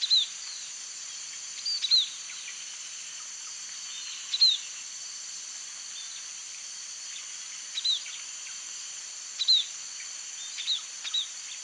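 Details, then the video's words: White-headed munia (Lonchura maja) gives thin, high chirps in short clusters every couple of seconds, over a steady high hiss of insects. "bondol haji, burung hama yang bisa menirukan suara burung kenari, jika di latih"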